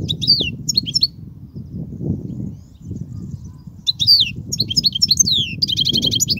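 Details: Song of a European goldfinch, used to teach young goldfinches. Bright, liquid phrases of high descending slurs come in bursts with a pause, then a buzzy, rattling trill closes the phrase. Low background rumble.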